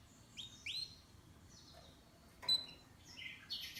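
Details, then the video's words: Canary chirping, pet bird: short upswept whistled notes around 0.4 and 0.7 seconds, a sharp click near 2.5 seconds, then faint rising chirps and a buzzy burst at the end; quiet background. "Canary's voice A very beautiful canary's chirping canary's voice"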